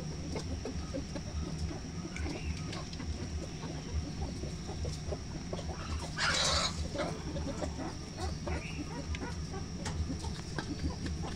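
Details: Hungry farm chickens and hens rushing to the feeding area in the morning sun, clucking as they eat. Soft scattered clucks and many short pecking clicks over a steady low hum, with a loud brief rustling burst near the middle.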